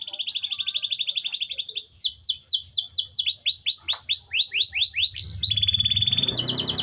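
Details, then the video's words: Canary song, played as daily training audio to get canaries singing: fast buzzy trills, then a string of loud downward-swept whistled notes about three per second, ending in rapid rattling trills with faint low background noise. "Kenari Nggak Mau Bunyi? Putar Suara ini setiap hari suara asli kenari"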